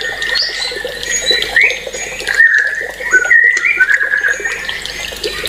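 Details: Songbird whistling a thin, wavering phrase that holds around one pitch, with brief rising slurs, partly masked by a steady background hiss and hum.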